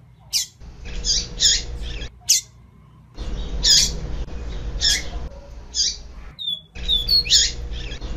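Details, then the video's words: Double-collared seedeater (papa-capim) calls used as a warm-up recording to stir a cold captive male into singing, possibly a female: short, sharp high chips and squeaky notes in loose bursts, one to three per second, over low hum. "Esquenta de papa capim"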